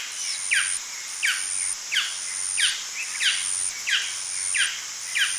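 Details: Male golden dove yapping: about eight short, falling, high-pitched notes repeated at an even pace of roughly one every 0.7 seconds, softer and partly blurred by steady background noise.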